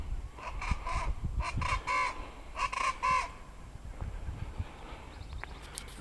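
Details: A group of Rufous-vented Chachalacas (cocrico), hiding in bushes and trees on Tobago, give harsh, raucous, nasal notes in quick rhythmic bursts over about three seconds; a low rumble of wind or handling and a faint high whistle follow.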